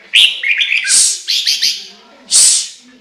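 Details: Loud whistled notes from a Chinese hwamei tumble into a string of buzzy, rasping high calls, then end in one more harsh burst.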